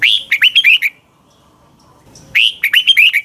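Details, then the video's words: Caged red-whiskered bulbul used to train other birds, singing in the morning: two fast bursts of sweet, warbling whistled notes about one and a half seconds apart, with a quiet background. "Luyện chào mào hót sáng"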